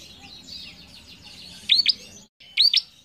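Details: Bar-winged prinia song for training young caged birds: soft buzzy twitters, then two loud doubled upswept chips.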